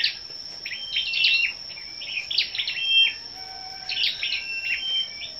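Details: Gathered scarlet-backed flowerpeckers in a 10/05 morning song contest: clusters of thin high chips with drawn-out flat whistles, grouped into two main bursts, a faint lower whistle and persistent high whine behind.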